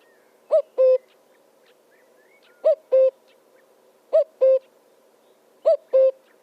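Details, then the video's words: A bird with a strange voice gives four paired calls, each a short upslurred-then-dropping hoot followed by a longer level note, with pairs about one and a half seconds apart over a quiet background. "Burung Bersuara Aneh"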